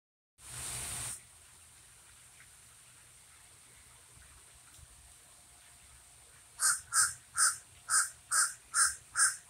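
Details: Common raven giving a series of seven harsh, evenly spaced croaking calls near the end, after a burst of noise at the start and a long quiet stretch.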